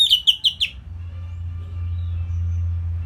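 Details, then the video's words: Four quick, evenly spaced whistled notes, each dropping slightly in pitch, open this simple Orange-headed thrush song meant for songbirds to imitate; a steady low electrical hum fills the rest. "Kicauan Simpel ANIS MERAH Gampang Untuk Ditiru Sebagai Masteran"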